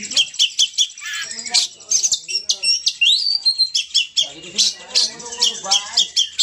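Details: Oriental magpie-robin (kacer) singing loudly and aggressively, a fast stream of sharp chirps, clear whistled sweeps and scratchy notes, with short bursts repeated several times a second.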